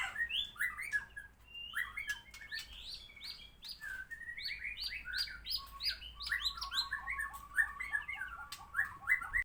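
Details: White-rumped shama singing after its moult, with rapid varied whistles and clicks, then a fast trill of repeated notes over further whistles.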